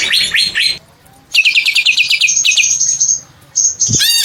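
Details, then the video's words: Greater green leafbird's long squawk: quick series of rising whistled notes, a pause, another rapid run, a high sustained tone and a final harsh ringing burst. "the green cucak bird shoots a long squawk"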